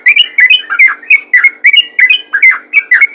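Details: Yellow-vented bulbul giving a rapid 'ropel ngalas' call used to summon other bulbuls: a fast run of bright chirpy, bubbling notes, about three per second, each a short rising-falling twitter, continuing steadily through the stretch.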